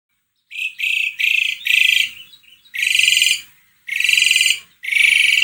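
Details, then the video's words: Asian pied starling song played to prompt a reluctant bird to sing: harsh, buzzy bursts with broad noisy bands, each about half a second long, separated by short gaps, loud and dominant. "Kicauan burung jalak suren gacor"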